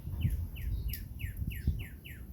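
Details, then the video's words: A Northern Cardinal heard but not seen in a tree on a morning outdoors: quick, clear downslurred whistles about three times a second, faint in the background behind low rumbling wind and handling noise. "So the sound you hear in the background is a cardinal. That's a red bird."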